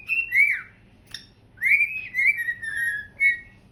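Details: Cockatiels kept as pets, two birds dancing and singing on a couch in September; a run of clear whistles, some steady and some bending downward, broken by a brief noisy click near the middle, over faint indoor hum.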